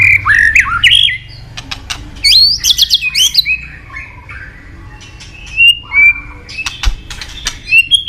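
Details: A white-rumped shama, most wanted among songbird lovers, sings bright whistled phrases that sweep up and down, rapid rising note series, sharp clicks, and a few thin high whistles toward the end.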